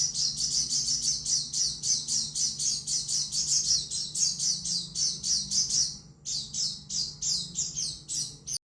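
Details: Oriental white-eye giving a fast, high chirping song, notes tightly packed for six seconds, a brief pause, then slower chirps resuming before an abrupt end.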